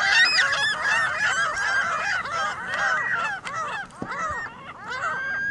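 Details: Many gulls crowded on a Michigan City parking lot, a thick chorus of harsh squawks and mewing cries, easing briefly before one long drawn-out call near the end.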